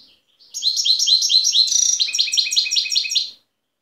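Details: Loud, continuous twittering from a wild European goldfinch, Tiaret, Algeria, recorded 2015: rapid rising chirps merging into a dense, tinkling trill, nearly three seconds of song.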